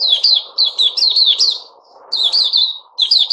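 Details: Puteh Raja bulbul kept in captivity and given fruit juice with a mealworm, dated 08-05-2021: a loud, rapid stream of bubbly, slurred whistled notes in two bursts split by a short pause, with low room noise.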